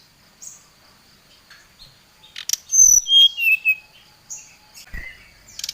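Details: Brown-chested jungle flycatcher singing agitatedly, calling out a rival: a short burst of clear whistled notes stepping down from very high to mid pitch around the third second, with scattered soft chips before and after.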